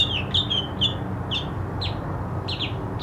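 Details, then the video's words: Mockingbird song fragment made of sharp, downslurred whistled notes, several given in quick succession about twice a second, over a constant low background rumble. "mockingbird singing"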